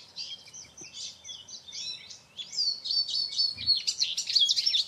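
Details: Eurasian siskin (Carduelis spinus) pouring out a continuous high, buzzy twitter of chattering notes and whistles that grows louder toward the end, with faint background hiss.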